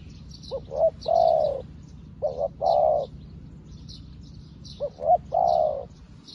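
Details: Spotted dove used as a fresh decoy to call wild doves. The coo phrase of two short hoots and a long, even, low note repeats three times at a steady pace, with light high chirping of other birds.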